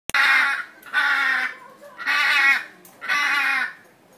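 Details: Captive blue macaws at Brevard Zoo in Melbourne, Florida: four loud, harsh, raspy squawks, each about half a second long, coming roughly once a second with short quiet gaps between.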